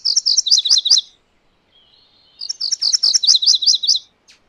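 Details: MacGillivray's warbler song: two bursts, each a fast run of about six high, sharp, repeated chirping notes that shifts into slightly lower notes at the end. A short pause separates the bursts, with faint soft notes in between.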